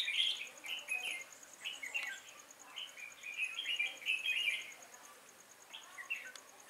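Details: Red-whiskered bulbul used as a decoy in a bulbul trap on 5 October 2018, singing to lure wild birds; lively, energetic delivery of short warbled, chirpy phrases in bursts over six seconds, with a faint steady ticking behind.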